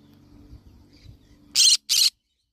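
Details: Yellow-sided conure: after a stretch of low humming background, two short, harsh screeches delivered back to back.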